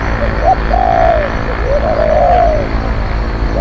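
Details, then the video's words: Spotted dove decoy, a skilled fierce cooer for luring wild birds, gives a short note then long, drawn-out arched coos that rise and fall smoothly, with a steady low rumble behind. "ต่อนกเขาใหญ่ เสียงนกเขาใหญ่ เจ้าสองจัดให้ นกคูเก่งๆคูดุๆ มีคารม"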